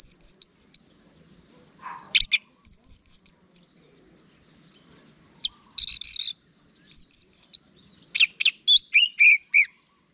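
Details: Orange-headed thrush (anis merah) singing scattered, varied phrases: sharp high chips, a brief buzzy burst, and slurred whistles separated by short pauses, ending in a quick descending series.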